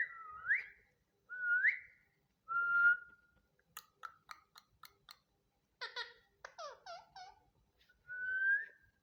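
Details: Indian ringneck parakeet indoors in a small room gives three rising whistled notes, then a run of short clicking chirps and quick wavering notes, ending on another drawn-out whistle.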